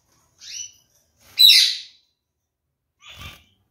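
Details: Pair of caged Gouldian finches pecking at digestible jute placed in their nest that morning; short high chirps, one louder buzzy note near the middle and a fainter note at the end, separated by silence.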